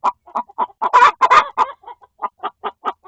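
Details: Hen in a coop squabbling with an egg-laying hen; uneven clucks with a loud cluster of harsh squawks early on, then softer, regular clucks.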